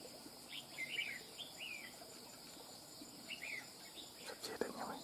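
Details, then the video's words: Wild-caught red-whiskered bulbul giving short clusters of sweet, slurred chirps in its running song style, pausing between phrases, followed by a sharp knock and rustle; insects drone throughout. "Chào mào BỔI VIP CHÉ | SIÊU CẦU CHẠY NHƯ MÁY | CẦU CÁNH MỎ CỰC HAY"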